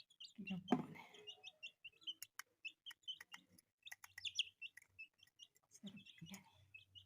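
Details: Several colourful pet chicks give rapid, high, thin peeps in quick bursts, with a soft low thump near the start and faint low rumbling later.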